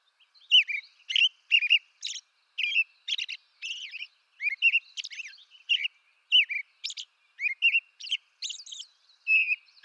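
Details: American robin singing, eastern North America: a steady run of short whistled caroling phrases, each rising and falling, separated by brief pauses, with some higher squeaky notes mixed in. No other sounds.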